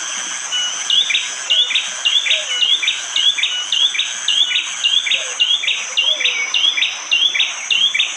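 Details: Hard, sharp 'tembakan' song of a bar-winged prinia, recorded by phone in morning forest near Wonocoyo Village, Panggul, East Java, Indonesia, with rain. Quick high chirps repeat nearly twice a second in a long run over constant insect buzzing.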